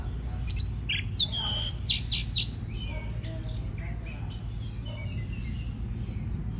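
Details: White-rumped shama singing, meant to stimulate singing: an opening burst of harsh rattling and whistled notes, then thinner rising and falling whistles, over constant low background hum.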